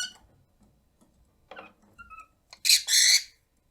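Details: Rosy-faced lovebird aged 1 year 9 months, contact-calling and chattering: a few soft chirps and short whistles, then two loud, harsh, shrill screeches in quick succession.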